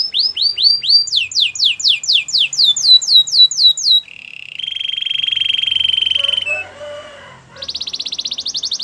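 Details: Canary training song opening with fast descending whistled slurs, then a long steady buzzy trill, some lower scratchy notes, and a high rapid rattle to close.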